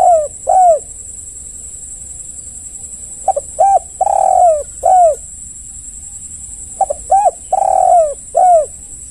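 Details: Spotted dove cooing, used as a lure so other doves respond and call: three phrases, each two quick soft notes, a long rolling purred coo, then a falling coo, with a steady high electronic whine throughout.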